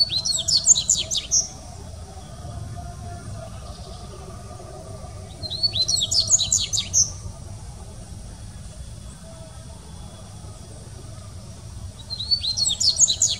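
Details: Dubois's seedeater at São Paulo Botanical Garden, Brazil, 6 1 2019, singing short bursts of rapid, high, sputtering twitters, three phrases roughly six seconds apart, with quiet pauses and a low distant hum between.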